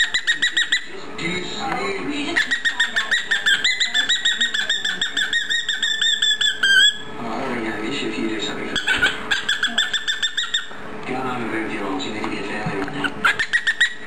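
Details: A pet cockatiel chatters indoors in the evening, rapid, ringing notes with a bright whistled edge, while another cockatiel plays with a plastic chain.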